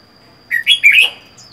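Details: Caged Red-whiskered bulbul living alone, caught wild four months earlier, sings a loud three-part warbled phrase of rising and falling slurred notes, then a faint high chirp.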